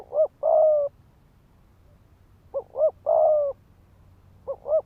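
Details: Decoy spotted dove in rapid 'thúc gù' cooing used to rouse males to fight: two phrases of paired short notes and a long steady coo, then another pair of short notes at the end.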